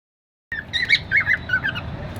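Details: Happy cockatiel singing: a short burst of warbling, wavering whistles and squeaky notes after a moment of silence.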